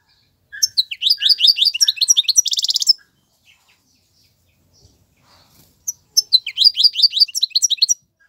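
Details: Male European goldfinch singing for fledgling tutoring: a burst of quick tinkling twitters ending in a rasping buzzy trill, followed by about three seconds of near silence and a fresh twittering phrase.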